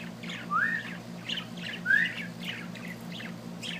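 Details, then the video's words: Small bird giving two clear upslurred whistles among soft, repeated chirps spaced about half a second apart, over a low steady hum. "amazing little bird singing"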